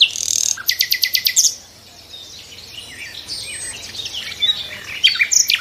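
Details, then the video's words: A nightingale delivers a high buzzy note, then a quick string of about seven sharp repeated pulses, a pause, and scattered thin twittering phrases finishing in another rapid burst. "the sound of nightingales"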